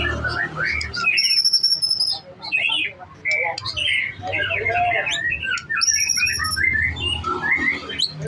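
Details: Young white-rumped shama (murai batu muda), a champion bird, pouring out loud, varied whistles, slurred notes and chattering phrases, with steady very high pure tones, a low rumbling hum and background noise underneath.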